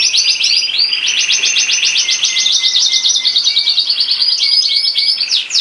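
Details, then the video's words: Frill canary in full song, a continuous rapid rolling trill of fast repeated notes lasting over five seconds, with a faint lower whistled tone underneath, loud and close. "Frill canary singing"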